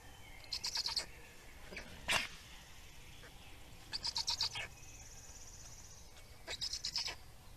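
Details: Black storks in Estonia, feeding on 17 May 2019: separated bursts of fast, harsh, high pulsed calls, plus one sharp louder note and a thin sustained whine in the background.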